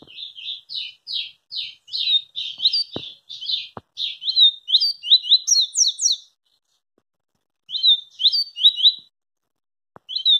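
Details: Double-collared seedeater singing a notably fast song: rapid runs of short, slurred, whistled notes, several per second, rising into higher sharp notes, then a pause and a shorter burst of the same phrase; a few faint clicks behind.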